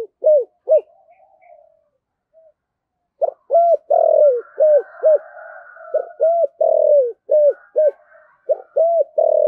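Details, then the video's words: Spotted dove decoy bird singing in the thổ sấm voice style: deep, hollow coos in two bursts of quick, clipped notes with one drawn-out, falling coo. A long pause separates the bursts, with a faint background hum. "cu gáy giọng thổ/ cu gáy giọng thổ sấm"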